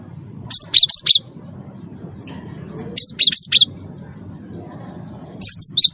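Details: Cinereous tit, a first-place champion songbird, singing vigorously as a lure to get captive birds singing: three bursts of rapid, high, sharply alternating chirped notes, about four per burst, separated by pauses, over a low background rumble.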